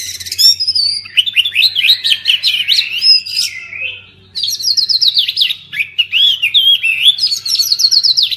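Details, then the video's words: Oriental magpie-robin song, played to get silent birds singing again after moult: rich, fast, high whistled phrases of rising and falling notes, a brief lull mid-way, then another energetic burst of varied whistles. "Kacer pasti nyamber dan gacor klo dengar ini"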